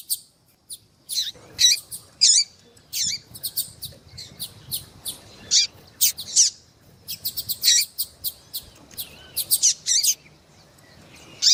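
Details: Female Rusty-collared seedeater calling eagerly to stimulate a male, a captive bird. Short, sharp high chirps come in loose bursts, some doubled or tripled, with brief pauses between groups and a quiet background.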